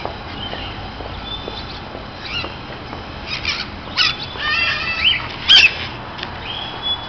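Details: Various parakeets in an aviary in Berlin showing social behaviour: a mix of overlapping harsh chattering squawks and short whistled calls at mid-high pitch.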